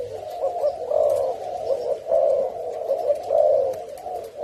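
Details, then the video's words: Tame male fancy mutation spotted dove from Thailand cooing in courtship indoors; low, mellow, rolling coos run together in pulsing phrases about a second long, with faint room noise behind. "Tame Fancy Spotted Dove Mutation Male Coo And Courting Sound"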